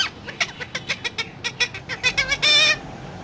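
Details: Talking parrot giving a steady series of short clicking, chattering notes about five per second, quickening and ending in a longer harsh nasal squawk with stacked harmonics.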